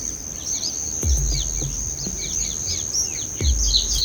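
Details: Bulbul nestlings in the nest, being fed red cherries by their mother, give rapid, thin, high chirps, several per second, over a steady high whine and low thumps.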